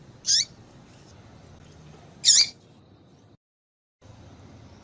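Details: Yellow-bellied Seedeater female call, played to get a male papa-capim singing; two separate high, sharp chirps two seconds apart, each with a descending tail, then a brief dropout and another note starting.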